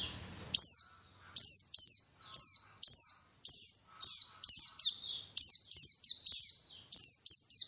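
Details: White-eye song played to coax other white-eyes into vigorous singing: a steady stream of shrill, very high chirps, each sliding sharply downward, repeated roughly every half second, on a clean, quiet background.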